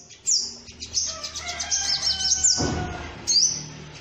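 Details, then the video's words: Sunbird call played as a lure to bring birds down: sharp high chirps and a dense twittering run, with a brief rustling noise midway and a low background hum. "Suara pikat burung sogok ontong - Suara ampuh pikat burung kolibri"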